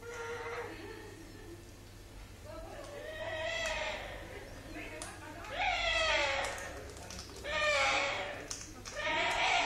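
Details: An orange-winged amazon makes strange noises while eating: odd, wavering, bleat-like calls with harmonic rising and falling notes, about every few seconds, over a low steady hum.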